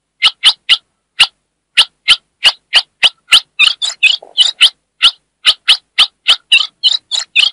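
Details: Calling female ultramarine grosbeak from the Northeast, used to excite a male, delivers rapid sharp chips and denser buzzy chattering bursts, spaced unevenly, with nothing else audible.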